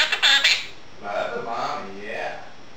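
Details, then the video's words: Female pet Quaker parrot talking indoors while dishes are washed, slow to warm up; a harsh, bright burst of chatter opens, then softer, lower speech-like warbling with stacked tones rising and falling. "Quaker parrot talking"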